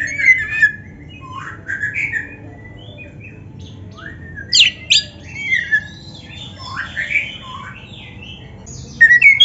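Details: Kacer (magpie-robin) master song for stimulating kept birds to sing; scattered varied whistles and squeaky slurred notes spaced by pauses, with a louder harsh burst near the end.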